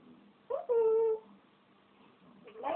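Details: Pet African grey parrot, camera shy, calling indoors: a short rising note, then a loud steady tonal call with clear harmonics for about half a second, and a fainter rising call at the end. A person's voice is faint between.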